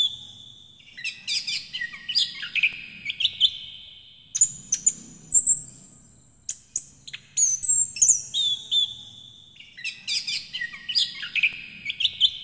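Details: An orange-headed thrush (Geokichla citrina) sings a rich, varied run of high whistles, trills and sharp chirps in rapid phrases, almost without pause; the song serves as a lure to prompt silent or sluggish captive birds, and as a tutor for young birds.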